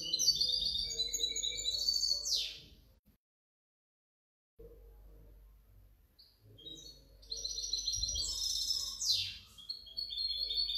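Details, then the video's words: European goldfinch hybrid owned by the recordist, labelled 2019–2020, singing high tinkling, twittering phrases with rapid trills and sharp descending sweeps, a silent pause midway, then the song resumes; faint low hum underneath. "mi mixto de jilguero"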